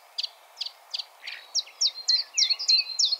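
Common chiffchaff singing a steady run of short, high chiff-chaff notes, about three a second. Another bird adds lower, swooping whistles, over faint background hiss.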